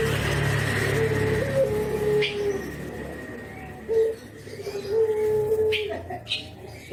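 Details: Spotted dove from Java calling 'kuk geruk' while nodding, used as a lure: low mellow coos, short notes and longer held tones, over steady background hum and a faint continuous high whine.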